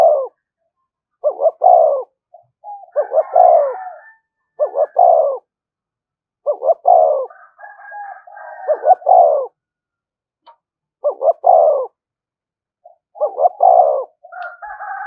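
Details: Spotted dove luring call used to provoke rival doves. Around eight phrases are spread over the recording, each two short jerky notes then a longer coo. Softer higher tonal calls intrude between some phrases.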